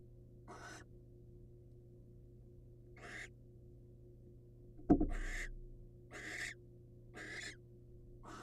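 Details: Harsh rasping screeches from a wild male barn owl bringing prey to his female companion, six broad noisy bursts spaced about a second apart, a loud thump near the middle, constant low hum beneath.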